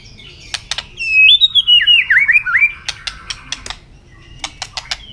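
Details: Tail-flicking white-rumped shama singing in contest, a loud wavering series of looping whistled notes flanked by sharp snapping clicks.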